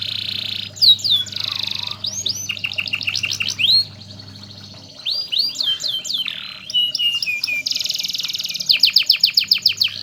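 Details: Canary song used as a master recording for teaching other canaries to sing: rapid buzzy trills and rolls alternating with bright rising and falling whistled notes, fast and varied, over a steady low electrical hum.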